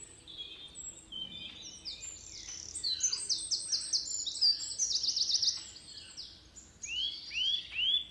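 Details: Birds singing on a foggy morning in a California forest: several voices overlap, with rapid high trills, quick chirps and a run of upward-sweeping whistled notes near the end, over a faint low hum.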